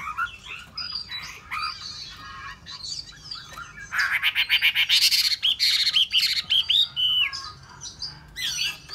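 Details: Hwamei singing: varied whistled phrases with sweeping slurs, then a loud run of rapid, repeated harsh notes in the middle before smoother whistles return.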